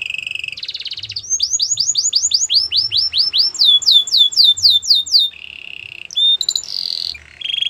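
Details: Canary song of the Belgian breed, used to train young canaries: a long series of clear downslurred whistles repeated about four per second, then buzzy rolls and short chips.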